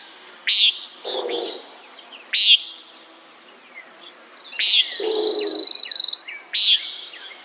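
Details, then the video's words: Common nighthawk calling with brief, harsh, buzzy notes. Low, muffled bursts and a steady rattling trill from other sources sound in the background. "Common Nighthawk Sound, Bird Call"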